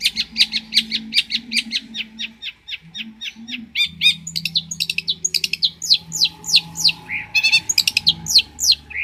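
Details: Champion long-tailed shrike from Banyuwangi singing as a training model: rapid ticking chirps in series, then faster trills and looping swept notes, rich and continuous, with a faint low hum beneath.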